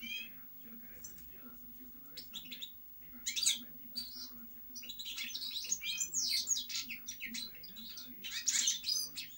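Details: European goldfinch song: a busy jumble of high twittering chirps, liquid trills and buzzy notes, loudest in bursts, over a steady low hum.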